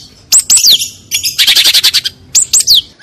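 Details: Long-tailed shrike (Lanius schach) song: sharp, high whistles slurring downward, then a fast run of about ten buzzy chattering notes, before repeating the whistles.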